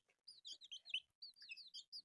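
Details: Colourful newborn baby chicks eating rice give a rapid series of high, thin, downslurred peeps, several birds overlapping in quick bursts with short silent gaps.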